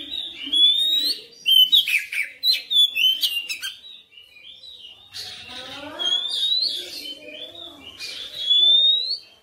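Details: Kacer, the oriental magpie-robin, in energetic full-repertoire 'gacor' singing: repeated bright whistled phrases with rising slurs alternate with buzzy chattering bursts, while soft lower warbling continues in the background.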